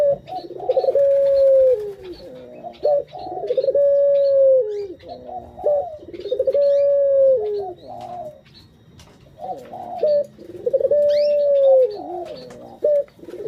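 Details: Puter (Barbary dove), a kept bird, calling as a lure to stimulate other birds: deep, drawn-out cooing phrases, each holding a long steady note, repeated about every three to four seconds, with faint chirps of other small birds behind.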